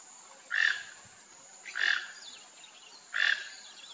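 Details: Rufous-tailed jacamar uttering three evenly spaced, sharp, squeaky notes about 1.3 seconds apart, each brief and strong, against a quiet hissing background.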